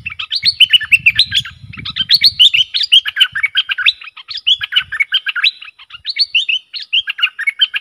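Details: Excitable bulbul used as a decoy, singing worked up against rival wild birds: dense bursts of rich, bubbling, warbled phrases that tumble up and down, repeated almost without pause, with a low rumbling noise during the first seconds.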